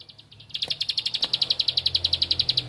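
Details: Bar-winged prinia (ciblek padi) seeking an opponent, breaking into a quick series of high, piercing chips after a brief quiet start, notes evenly spaced and rapid, with a low hum underneath.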